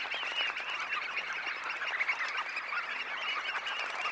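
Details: Red knots, a flock of about 20,000, taking off from their high tide roost: a steady, dense babble of short nasal calls overlapping without pause.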